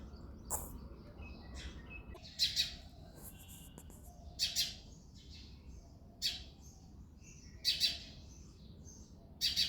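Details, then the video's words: Early-morning February chirping by a male house sparrow: scattered bright cheeps, several in quick doubles, mixed with fainter twittering notes and a soft low background hum. "House sparrow sound effect | Sparrow chirping sounds"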